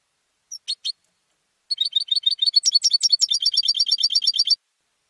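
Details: European goldfinch raised at home and entered in singing contests: three short chirps, a pause, then a sustained high trilled phrase of rapidly repeated liquid notes for about three seconds.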